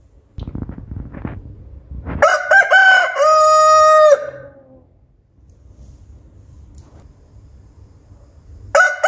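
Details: Rooster crowing at dawn: one loud, harmonic-rich cock-a-doodle-doo lasting about two seconds, with stuttered opening notes and a long held final note, preceded by low rumbling noise and the start of another crow at the end.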